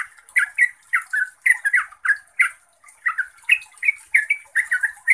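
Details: Yellow-vented bulbul pouring out rapid, chirpy phrases. Slurred, throaty notes tumble quickly one after another, with a short pause near the middle and no other sounds.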